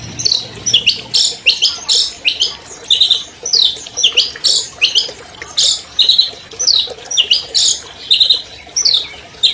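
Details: Captive albino long-tailed shrike, a champion singer, delivering a full, clear song used to stimulate silent birds: steady series of harsh, scratchy bursts alternating with higher sharp notes, about one phrase per second.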